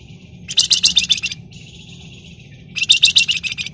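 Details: Flamboyan in full, excited song used as a lure to get other birds singing: two bursts of rapid, dense, buzzy high notes in close ngebren and nyerecet style, a softer thin trill between them.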